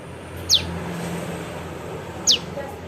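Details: ['Juvenile prinia, sound used to attract birds for trapping: two bright, steeply falling high notes almost two seconds apart, over low traffic-like hum.']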